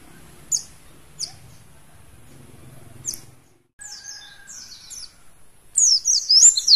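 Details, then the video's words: Caged Mountain white-eye from Mount Slamet: a few sharp, very high single chirps spaced apart, a thin level whistle, then a short burst of fast, high twittering warble near the end. "pleci gunung slamet"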